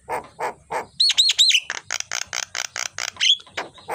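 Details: Morning Javan myna song, kept for training songbirds: three throaty notes, three bright whistled upslurs, then a fast string of loud harsh chirps and a final whistle over faint low rumble.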